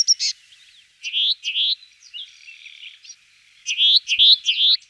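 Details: Sombre tit giving short rising chirped notes in pairs and small clusters, with a soft buzzy rasp in between, then a quick run of bright upslurred chips.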